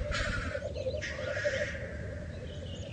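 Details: Black grouse at a lek: two harsh, hissing sneeze-like bursts over a steady, low bubbling murmur, with a low wind rumble underneath.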